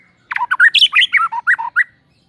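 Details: White-rumped shama (murai batu) singing its repertoire as a morning lure: a short, lively phrase of quick warbled and chattered notes that fall and rise, about two seconds long, with clean silence around it.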